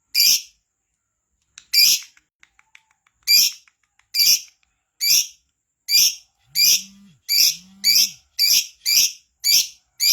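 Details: Active lovebird, used as a lure recording, calls with harsh, high chirps, sparse at first, then faster and closer together. A brief low hum sounds twice in the middle.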